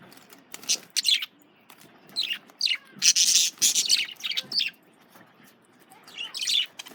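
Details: Lively warbling chatter from male budgerigars eating carrots: squeaky, scratchy chirps run almost without a break, rising and falling in loud bursts.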